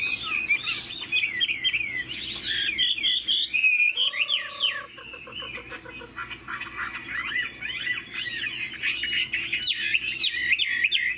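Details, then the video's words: Caged Chinese Hwamei, 90% pure-bred, head-bobbing 'lion dance' singer with wing play: fast tumbling whistled phrases, interrupted midway by a short lower droning sound, then the bird resumes a dense stream of looping, jerky whistles. "Họa mi thuần 90%, chơi cánh, hót gật gù múa lân"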